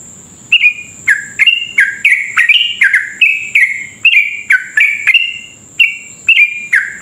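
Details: Sooty-headed bulbul pouring out long rapid 'ropel' song, used as a lure to trigger other bulbuls: dense chain of liquid, slurred whistles repeated several times a second, with a faint steady high tone behind.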